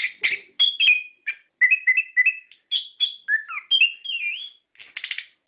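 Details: Orange-headed thrush song to make captive birds sing in response: varied whistled notes, sliding and looping phrases, and a closing burst of fast trilled notes.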